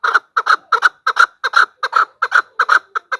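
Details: Female chukar lure call: loud, clipped chuck notes, mostly in close pairs, repeating briskly at roughly two to three per second in a regular rhythm.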